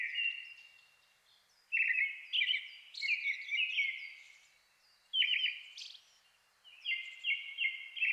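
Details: Brown-headed thrush singing at dusk in a Shinetsu highland forest, Japan, in May, vying with a nearby Japanese thrush; loud clear whistled phrases of two or three notes, each ending in a thin high trill, repeated after short pauses.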